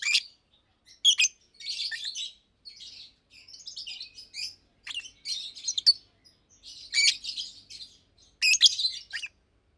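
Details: Two adult caged Fischer's lovebirds, almost two years old, chirp and sing during the day: bursts of shrill, high twittering and sharp squeaky notes in clusters with short pauses between, no other sounds.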